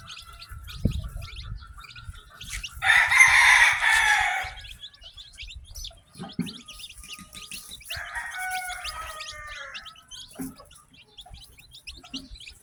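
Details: Newly hatched chicken chicks on a farm, a batch peeping steadily with rapid, thin, high chirps scattered through the whole stretch, about four per second, while a louder, rough, harmonic fowl call breaks in twice over the chicks.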